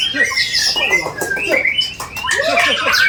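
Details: A white-rumped shama, bowing as it sings, gives a piercing song full of mimicked phrases: varied high whistles mixed with lower chuckling notes, strongest near the end.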